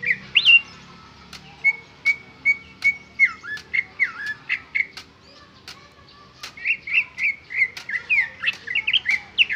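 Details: Greater green leafbird giving its original song with no imitations: loud, varied warbling phrases with slurred, bending notes, broken by a short series of even whistles, then a rapid burst of chattering twitters.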